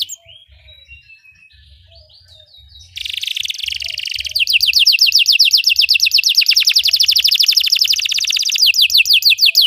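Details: Singing Belgian canary used for training: soft whistled notes at first, then a loud dense buzzing roll leading into a long fast series of sharply descending trilled notes.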